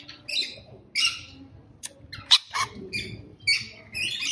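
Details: Short harsh squawks from a rainbow lorikeet come in separate bursts about half a second apart. Between them are softer chirps and a low rumble.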